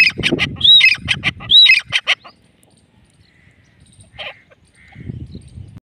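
A grey francolin gives a loud, harsh burst of rapid, ringing notes for about two seconds, then falls quiet apart from a few faint chirps and a low rustle.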